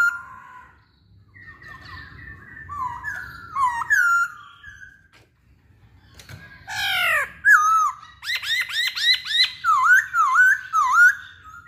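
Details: Masked laughingthrush, kept caged and used to provoke other birds to sing, delivers wavering whistles, a burst of steep descending sweeps, then a fast series of loud looping whistled notes.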